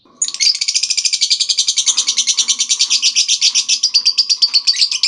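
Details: Lovebird ngekek, played to attract and train other lovebirds: an unbroken five-second stream of quick, harsh, high chattering notes, evenly paced, with a faint low hum behind.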